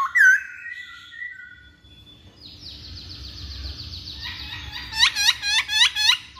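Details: Masked laughingthrush song meant to make males answer: a brief whistle, a quieter buzzy stretch, then a rapid series of harsh, chattering notes.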